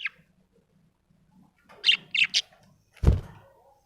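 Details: Happy budgerigar uttering three quick bright chirps in a row, followed by a dull thump, otherwise quiet indoors.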